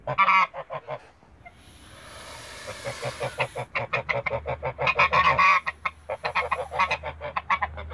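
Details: Backyard Toulouse goose couple calling: an opening run of loud honks, a quieter noisy lull, then a long excited volley of harsh repeated honks overlapping one another, with a low steady hum underneath.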